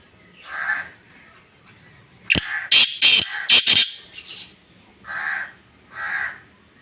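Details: Black francolin breeding call: one rough note, then a burst of very loud, sharp clipped blasts, then two more grating notes at an even pace.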